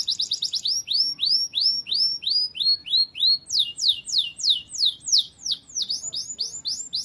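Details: Canary song for tutoring pet birds: a quick trill opening into a series of arched, slurred whistled notes about three per second, then steeper descending sweeps and brisk repeated phrases, clear with no other sounds.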